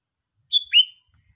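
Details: Sooty-headed bulbul uttering a single short call: a clear whistled note followed by a downward-swooping slur, quiet background.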